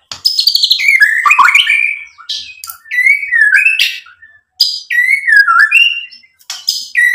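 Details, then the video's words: White-rumped shama song played to provoke other birds: short bursts of bright whistles and chattering slurs, each phrase a second or two long with brief silences between. "SUARA MURAI BATU Untuk MENAIKAN EMOSI jadi NYAUT GACOR"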